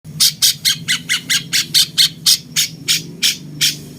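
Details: Cucak cungkok bulbul said to sound like a cucak jenggot, kept as a master voice for training champion songbirds: a steady run of harsh, buzzy squawks repeated about every fifth of a second, with a faint low hum underneath.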